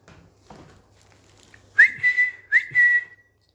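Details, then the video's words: Pet Indian green ringneck parakeet whistling on a bed: after quiet low rustling, two whistles, each a sharp upward flick followed by a long, level, clear tone. "Smart Whistling Indian Green Ringneck Parrot Talking on Bed"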